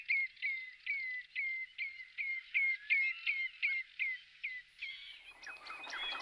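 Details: Whimbrel on annual migration, passing through and roosting in West Lancashire, UK; a rapid run of about twelve clear whistled notes, each dipping slightly, about three per second, ending in a burst of broad rustling noise.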